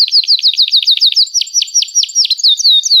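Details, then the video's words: Canary in continuous song used to coax young birds into learning to sing: sharp, rapid downward-slurred chirps delivered about eight per second, slowing slightly toward the end. "Kenari Gacor Panjang Cuit Cuit Emosi, Pancingan Kenari Paud Belajar Bunyi"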